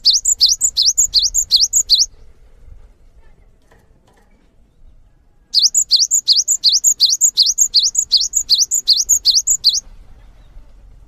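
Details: Singing cinereous tit (gelatik batu): a two-second run of sharp, rising, repeated two-part whistles, a quiet pause, then a longer four-second bout of the same rhythmic phrases, about three per second.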